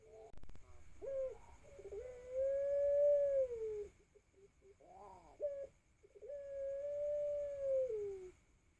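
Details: Young Pelung doves, 4 to 5 months old, beginning to learn to coo, recorded on an Oppo A5 2020 phone: two long, steady, mellow hooting notes, each drawn out about three seconds and sagging at the end, with a short broken rising note between.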